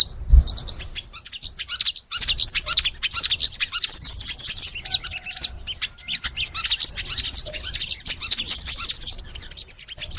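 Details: Long, energetic crimson sunbird (sogon) song. Continuous fast, scratchy high twittering with trilled phrases, opening with a soft low thump.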